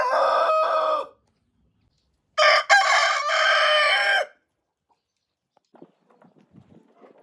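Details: Rooster crowing: the end of one harsh, rich crow, then after a gap a loud full crow with a choppy opening and sustained middle; faint rustling and scratching sounds follow.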